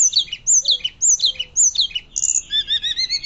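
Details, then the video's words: Hill blue flycatcher in loud flute-like song for use as a lure and master: repeated descending whistled phrases about twice a second, then a quick series of short high notes stepping downward. "Tledekan Gunung Gacor Nyuling Keras Cocok Untuk Pancingan Dan Masteran"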